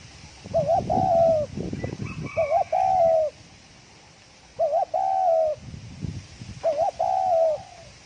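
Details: A spotted dove gives very fast thổ còi cooing: four phrases, each a short wavering note pair running into a long level coo that dips at the end. A faint higher chirp is heard near the second phrase.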